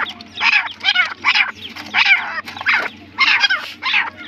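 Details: Partridge (teetar) calling: harsh, rasping bursts of broad noisy notes, about seven in four seconds, separated by short gaps, with a faint low hum underneath.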